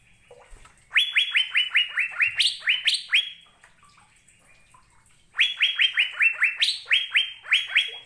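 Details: Asian fairy-bluebird song recorded to train caged birds to sing: quick runs of sharp down-slurred notes, about eight in each run, in two bursts separated by a pause of several seconds.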